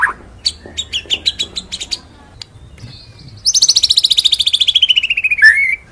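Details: White-rumped shama singing a full rolling training song with shooting notes: a brief low note, a series of dry ticking clicks, then a long, very fast rattling trill sliding downward to a final whistle.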